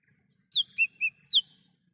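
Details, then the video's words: Wild lesser green leafbird, recorded in the wild for use as a lure and call. A short phrase of four clear whistled notes: a high downslurred note, two lower sliding notes, then another high downslur. "Suara asli cucak hijau mini / cucak Rante di alam liar"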